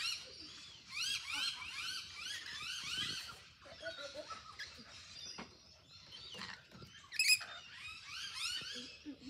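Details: Rainbow lorikeets in a group produce rapid series of harsh rasping squawks early on, then scattered screeches and a loud sharp burst near the end, with soft rustling between calls.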